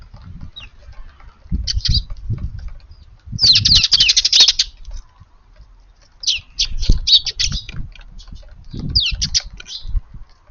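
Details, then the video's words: Eurasian tree sparrows at a lively, busy evening feed in a garden after five o'clock on 25 April; bursts of sharp high chirps come in dense clusters between pauses, with soft wing flutters and low thumps beneath. "スズメが庭に来ました！ No471 4/25 いつもながらの賑やか夕ごはんです"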